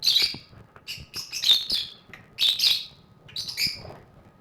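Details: Several high, sharp, buzzy chirps from lovebirds playing in their cage, coming in uneven bursts about once a second, with faint knocks in the background.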